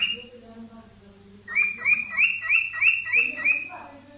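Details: A cockatiel gives a mating call, a rapid run of bright, rising whistled notes, about three each second.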